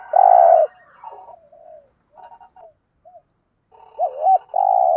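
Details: Spotted dove coo used to stimulate other doves: a strong long coo, scattered soft notes and a short arched note, then two hooked notes leading into a final long steady coo.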